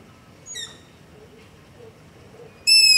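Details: Long-eared owl begging at night near a house, captured on a ZOOM H5 with LOM Usi Pro mic: a faint, thin squeak early on, then a loud, piercing high screech starting right at the end.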